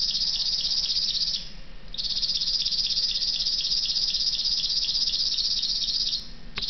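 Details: River warbler singing at Vainikkala, Lappeenranta, South Karelia, Finland, on 11 June 2010: a dry, insect-like, fast mechanical pulsing reel on one high pitch, broken by a brief pause before it runs on.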